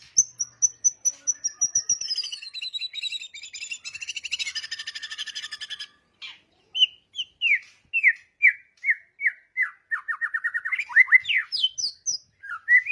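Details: White-rumped shama (murai batu) song used to get other birds singing: a long, high, steady whistle becomes a buzzy rattle, then after a pause a steady series of sharp descending notes and a quick rising flourish.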